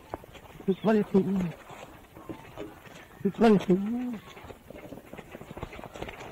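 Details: Ripper, a hand-reared 4-year-old male Australian musk duck (Biziura lobata), mimics human speech learned from his environment in two short, gruff, voice-like phrases a couple of seconds apart, with faint background noise between them.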